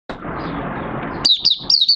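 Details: Caged oriental white-eye singing openly after three months of night training with its cage cloth open. A burst of broadband noise gives way to quick high whistled notes that slur downward in short bursts.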